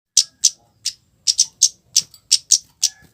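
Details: Flowerpecker giving a harsh 'cit keres' lure call meant to provoke other flowerpeckers into answering: sharp, high, dry chips repeated about three per second in an even series, with a faint low background hum.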